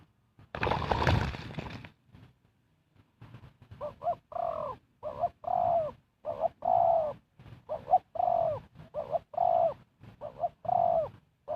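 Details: Spotted dove used as a decoy to lure wild birds; a loud rustling thump opens, then a long run of soft paired coos, short then drawn-out, repeated about once a second.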